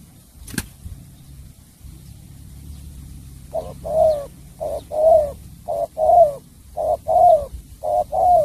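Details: Spotted dove of Cà Mau in bầu bạch đề song style: after a click and a quiet pause, a steady run of paired low coos, a short note then a longer one, repeating about once a second.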